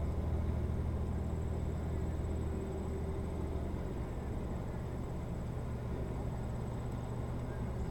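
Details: Steady low engine drone, like a passing aircraft or boat motor, dominates throughout, with a faint high whine and no animal calls.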